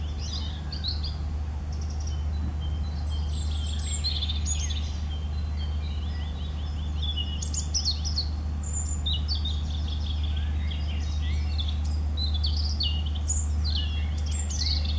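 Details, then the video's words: European robin singing a long series of varied short phrases: high, sparkling, rapidly sliding notes and brief trills in quick succession with small gaps, accompanied by a continuous low-pitched drone. "Rotkehlchen singt - Gesang Robin singing"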